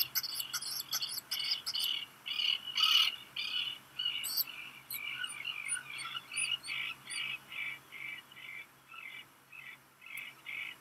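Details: Hungry black guillemot nestling on Seal Island National Wildlife Refuge, Maine, USA, noon 13 July 2021, as a parent comes with rock gunnel; burst of loud peeps, then a steady series of short high notes about twice a second.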